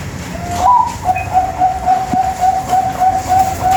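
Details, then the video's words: Zebra dove of the Thai-bred contest type, a lure recording for training contest birds' voice and nerve: a brief rising note, then rapid steady pulsed coos on one pitch, about three a second, over constant low background hum. "PANCINGAN PERKUTUT BANGKOK MELATIH BUNYI || MENTAL PERKUTUT LOMBA"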